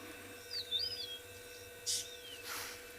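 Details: Yellow-throated longclaws call on a morning safari drive in a South African private game reserve on 22 October 2020, giving clear, slurred whistles, rising-and-falling notes, then a long falling whistle over a low steady engine hum.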